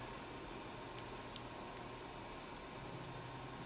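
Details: A quiet indoor room with a steady low hum and three sharp, faint clicks near the start.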